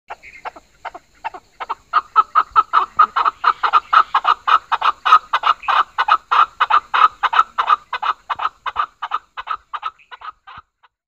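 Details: Chukar partridge (Alectoris chukar) gives a long run of husky, clucking 'chuck' notes that quicken to about four a second, then slow and trail off, with no other sounds.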